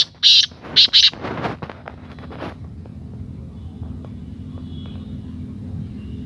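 Black francolin giving three loud, harsh, grating notes in quick succession, then a rougher rasping burst, with steady low hum and faint background noise afterward.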